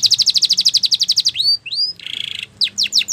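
Spanish Timbrado canary sings a fast run of high, even chips, then rising whistles, a rolling buzzy trill and quick falling notes.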